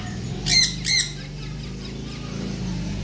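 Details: Blue macaw giving two loud, raspy, harmonic squawks about half a second apart, then quiet with a low steady hum and faint indoor background noise.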